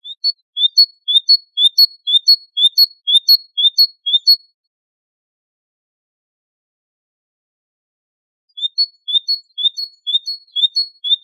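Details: Great tit, recorded to tutor caged great tits and goldfinches in Wedani-style song, sings a fast, regular series of rising, whistled two-part notes, about two per second, then a long pause and the same phrase again.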